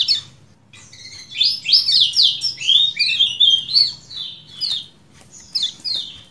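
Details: Kecial kuning bulbul used as a tutor recording for cage birds, giving a lively series of high, sliding chirps and twittered notes in quick bursts, with a faint low hum underneath.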